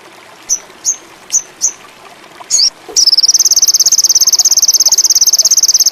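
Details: Sogon indigo, the ruby-cheeked sunbird, singing as a lure for birds in high mating urge: four thin high chips, a short buzzy burst, then a sustained rapid high trill.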